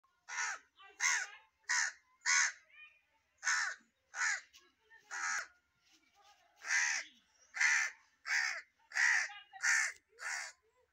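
A crow gives harsh, hoarse caws in uneven runs, about one and a half per second, with brief gaps between bursts.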